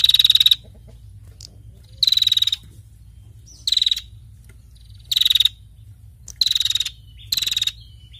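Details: Actively calling female prinia gives six short buzzy rattling bursts of fast pulses, each about half a second long, repeated roughly every second and a half against a quiet background.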